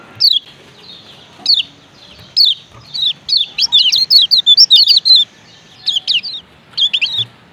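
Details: Male lemon-bellied white-eye from Lombok: isolated high chirps at first, then a quick, tumbling series of sharp, down-slurred 'ciak ciak' notes, followed by a few spaced pairs.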